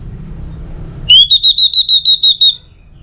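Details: Orange-headed thrush song used to prompt other birds to sing: after a second of low hum, a quick run of about seven bright, clear whistled notes on a near-level high pitch, evenly spaced, then quiet.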